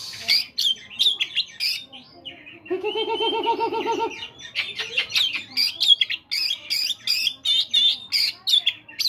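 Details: Oriental magpie-robin singing in the morning, meant to stimulate caged birds to sing: a rapid run of sharp, chirping notes, then a low, buzzy, harsh stretch of about a second and a half, then more quick, whistled, trilling notes.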